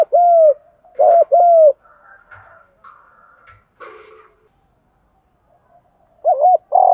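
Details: Spotted dove cooing used as a lure to provoke rival males: a few low, hollow coos, each rising then falling, in two short groups separated by quieter rustling and faint knocks.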